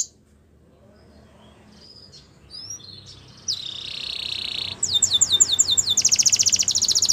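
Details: Canary training song beginning with faint scattered chirps and near silence, then a buzzy high trill, a run of sharp descending notes, and a fast rattling trill.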